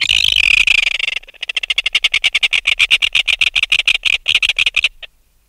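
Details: Close alarm calling from an adult red-billed tropicbird removed from its nest: a shrill scream slides into a long, rapid rattle of harsh, evenly spaced pulses lasting several seconds before stopping.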